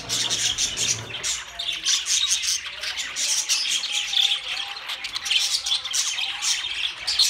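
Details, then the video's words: Budgerigars in loud, continuous chatter: dense overlapping high chirps, scratchy squawks and warbled twitters with no pauses, a low rumble fading out after the first second. "Beautiful Budgie Beautiful Budgies Parrot Talking"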